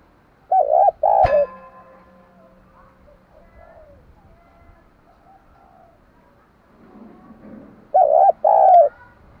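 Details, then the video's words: Spotted dove cooing for daily voice training: two paired deep hooting coos, a sharp click or knock, a quiet pause with faint rustling, then another pair of low rounded coos. "Tiếng chim cu gáy hay dùng luyện giọng chim cu gáy mỗi ngày"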